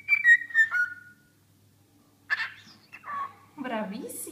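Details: Cockatiel singing and clowning: a few clear whistled notes sliding downward, then after a pause scratchy chattering, murmured notes and a squeaky high sound.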